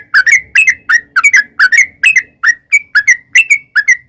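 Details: Sooty-headed bulbul singing a long rapid-fire 'ropel' song used as a lure to make wild birds answer: quick bubbly chirping notes, about two to three per second, sliding and hooked, in a steady chattering run.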